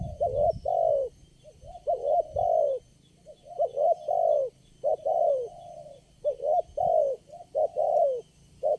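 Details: At a site for trapping with lure birds, a single responsive spotted dove gives steady phrases of throaty, mid-pitched coos, each note dipping at the end, with brief low thumps at the start.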